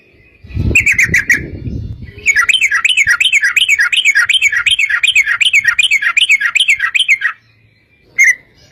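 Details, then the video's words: Sooty-headed bulbul, long ropel song meant to lure other bulbuls into singing. A brief bubbly phrase over a low thump is followed by a sustained five-second run of quick, wavering repeated notes, then one closing note. "trucukan gacor TARUNG ROPEL PANJANG pancingan trucukan agar bunyi jadikan burung trucuk gacor NYAUT"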